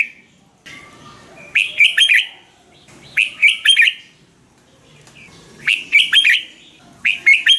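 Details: Red-whiskered bulbul, caged, singing to stir or train other caged birds: four bubbly phrases of rapid, clear whistled notes, each ending with a slight downward twist, separated by short quiet gaps.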